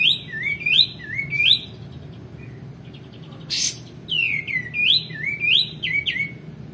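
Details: A male white-eared bulbul, played to train other songbirds, sings bouncing swooped whistles in short phrases, with a quiet gap and a harsh burst before another run of rising-falling notes.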